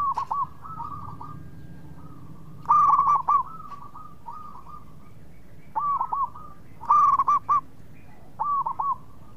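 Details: Local zebra dove in full song as a lure for rival birds: two loud, rich cooing phrases around 3 and 7 seconds, separated by softer, shorter groups of hooked notes against a quiet background.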